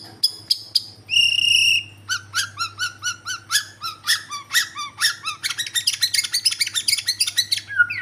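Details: Borneo white-rumped shama in full voice: clear high whistles and a held ringing note, then rapid runs of chattering, clicking notes that speed into a dense trill, over a faint low hum.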